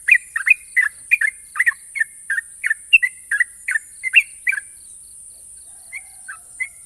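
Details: National champion Sooty-headed bulbul delivering ropel song, long and sharp: quick, evenly spaced chirpy notes for about four and a half seconds, then a few scattered single notes, with a constant thin hiss behind.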